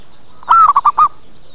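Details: A single zebra dove phrase played as a lure to attract birds: one longer coo bending upward, then four short rapid cooing notes in quick succession, with quiet background.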